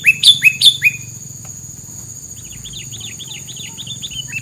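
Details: Bird song used as filler material: several loud whistled notes sliding downward in quick succession, then a softer run of short chirps repeated rapidly, over a steady high electronic whine and low hum.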